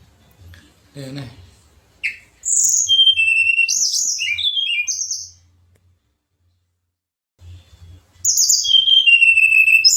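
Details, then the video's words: Contest-style Pied fantail song: a brief low sound, then a bright run of high chirps and short falling whistles lasting about three seconds, silence, and another burst of high whistled notes at the end. "Manis Kicauan TLEDEKAN Untuk Kontes Juara Burung Gacor"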